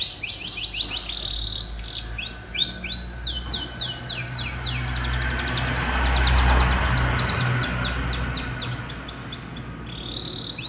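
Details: Canary song used to stimulate young and quiet canaries to sing: high trilled phrases of repeated rising notes, a fast rattling run mid-way, over a low humming background rumble.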